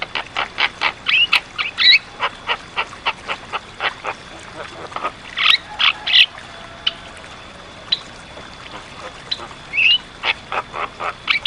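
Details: Javan myna, locally called jalak kebo, in lively gacor song recorded as masteran training audio: rapid series of short harsh chattering notes with scattered squeaky whistles, pausing mid-clip, over a faint steady high hum.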